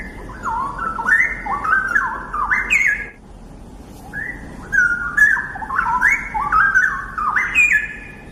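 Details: Straw-headed bulbul singing loud, rich, liquid whistled phrases that tumble up and down in quick runs. One burst lasts about three seconds, then a short pause, then a second similar burst. Faint background hiss.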